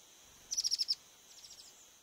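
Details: Eurasian blue tit in Córdoba gives a quick string of about seven thin, very high notes, then a softer, shorter run a moment later.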